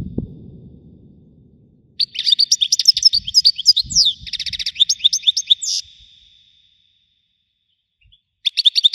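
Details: European goldfinch giving wedani-style song: a low rumbling noise at first, then about four seconds of dense, fast, high twittering and buzzy notes, a silence, and a fresh twittering burst.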